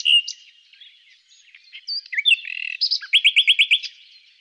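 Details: A common nightingale (Luscinia megarhynchos) sings a varied phrase of whistles and buzzy notes, ending in a rapid run of about eight loud, repeated chirps.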